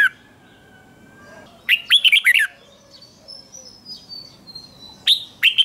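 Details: Red-whiskered bulbul contest singing, meant to push birds into full song: a tight string of bright, wavering whistles, followed by thin faint notes, then a fresh loud phrase opening with a sharp rising note.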